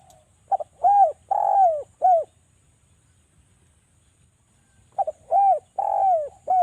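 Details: Spotted dove, Javan derkuku, used as a calling lure: two phrases of low, hollow arched coos, each a quick stuttered double note followed by three rounded coos, the third drawn out, separated by about two seconds of near silence.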